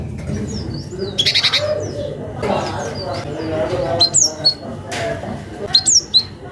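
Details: Gelatik batu (cinereous tit) calling a rival, used as a lure to get young birds singing; sharp, high chirps sweeping steeply downward, given in short clustered bursts near the start and twice later, over a steady low hum and murmuring background.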